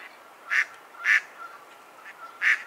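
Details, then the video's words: Mallard giving three harsh quacks with a soft, low hum running between them. "Mallard Bird Sound Call"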